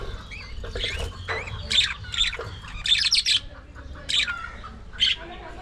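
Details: Aviary colony of budgerigars giving harsh, scratchy squawks mixed with brief rising chirps, about one or two bursts a second, with a faint low hum behind.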